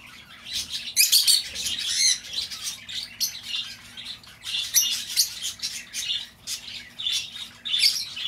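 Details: Lovebird calling, used to lure back an escaped bird: a dense, continuous stream of shrill, buzzy chirps, loudest at about one second and again near five and seven seconds.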